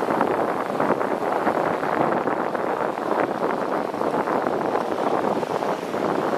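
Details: Steady roar of wind buffeting the microphone, with a broad, continuous rumble like a boat engine underneath; no animal voices.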